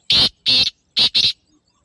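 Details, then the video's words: Four harsh, rasping notes from a black francolin within two seconds: two single grating notes, then a rapid close pair, in near silence. "کالے تیتر کی آواز | Black Francolin Beautiful Call"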